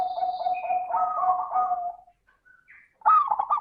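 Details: Zebra dove lure song for prompting lazy doves to sing: a sustained purring trill of rapid pulses ends abruptly, followed by a loud stuttering coo burst, with faint high bird chirps in the background.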